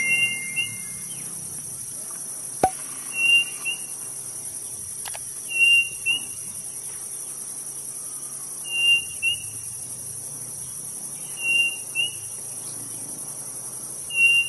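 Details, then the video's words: Quail, the codorniz of northeast Brazil, singing: a clear whistled phrase of a long note followed by a shorter one, repeated about every three seconds, over a steady high cricket drone and one sharp click. "Codorniz A RAINHA do NORDESTE"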